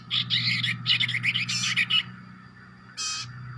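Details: Common iora giving an unusual hoarse, wet-sounding vocalisation: a run of rapid, raspy, buzzy bursts packed closely together for two seconds, then a pause and one more harsh burst; a low steady hum runs underneath.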